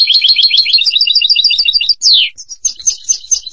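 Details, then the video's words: Rapid, even trill of high notes from a European goldfinch, then a loud falling slur, followed by quieter, looser twittering with slight background noise. "Jilguero canto del cardellino"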